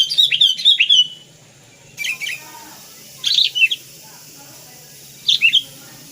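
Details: Sooty-headed bulbul in a full-isian training song recording, described as very vocal: a rapid bubbly phrase, then short, separated bursts of two or three liquid chirps with quiet gaps between them.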